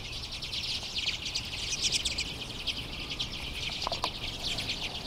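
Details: A large overwintering flock of Common and Hoary Redpolls in a yard in Marathon, Ontario, Canada, in March 2011, keeps up a steady chatter of high, twittering chips and buzzy notes, many birds calling over one another, with faint hiss.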